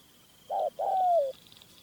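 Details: Spotted Dove cooing in the field while a captive decoy dove is used to lure a wild male toward a trap: a short low coo followed by a longer drawn-out coo, against quiet rural background with a faint high tone.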